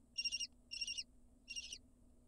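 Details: Lesser kestrel nestlings in Israel, about a month after hatching in May 2022, begging as they are fed outside the nest entrance: three harsh, rasping, high-pitched calls, each a short hoarse burst about two-thirds of a second apart, over a low background rumble.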